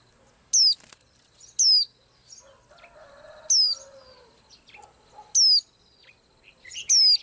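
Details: Singing daily, a small blue-eyed bird repeats a sharp, high descending whistle five times at uneven gaps. A brief wing flutter and softer, lower warbling notes are heard in between.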